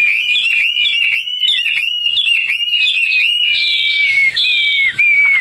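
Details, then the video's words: Hwamei, tame and kept outdoors, delivering a long sustained whistled song, a high ringing line with rapid warbled ornaments, ending in downward-slurred notes. "Wambi Hwamei Gacor jinak total outdoor"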